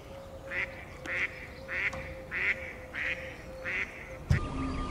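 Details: A female tufted duck in South Holland gives seven harsh, rasping growls, about one every 0.6 seconds, over a steady low hum, ending with a sharp knock.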